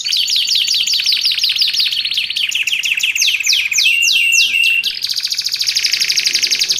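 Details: Wild-style luring and training song of a canary: quick repeated downward-sweeping notes blend into dense buzzy trills and ringing rolls, sung continuously at high pitch.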